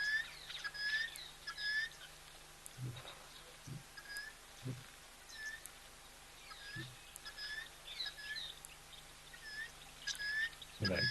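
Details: At an African waterhole on 15 October 2025, helmeted guineafowl in the background, near giraffes, give squeaky, creaking contact calls like a wheelbarrow wheel needing oil.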